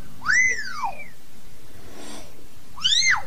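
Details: Common hill myna singing to call the flock: two loud whistled notes arching up then sliding down, with rich overtones, the first near the start and the second about two and a half seconds later, over a low steady hum.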